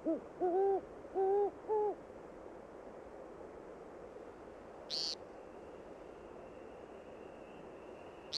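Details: Great horned owl, a predator of woodcock, at Moosehorn Wildlife Refuge, Maine, gives four deep, soft hoots within two seconds, then quiet, a single brief knock and a faint high steady whine.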